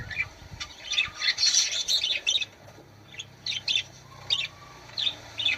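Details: Budgerigar singing to encourage birds to mate: rapid chattering warble of short bright chirps and squawky notes in bursts, with brief quiet gaps between phrases.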